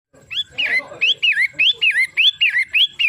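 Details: Long-tailed shrike, locally called pentet matahari, giving a run of about ten loud whistled notes, each sliding up then dropping back, repeated roughly three times a second with a short chattering burst near the start.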